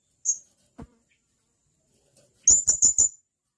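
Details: Male blue-crowned hanging parrot calling a companion: one isolated high chirp, a faint click, then a fast run of four shrill, sharp notes.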